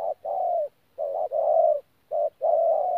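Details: Close, steady 'thổ pha gù' cooing from a 'bổi' spotted dove recorded at Tu Mơ Rông on 14 January 2019. Three low phrases, each a short note then a long level coo, follow one another with little gap.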